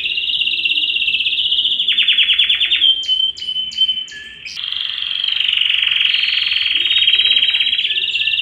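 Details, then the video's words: Yellow canary song made of sustained rolling trills at high pitch, interrupted by a few sharp clipped higher notes, then a long even trill with slight pitch shifts continuing to the end. "yellow canary singing"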